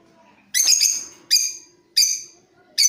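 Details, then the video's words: A Creamino lovebird chattering as a training lure for other birds: four loud scratchy bursts, the first longest and buzzy, the rest shorter and evenly spaced roughly every 0.7 seconds. "Suara Pancingan Love Bird Paud Creamino"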